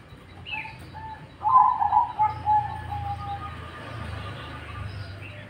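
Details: Cemani zebra dove singing, a loud rolling trilled coo followed by a short run of clear, low, fading coo notes, with faint high chirps from other birds and low background hum.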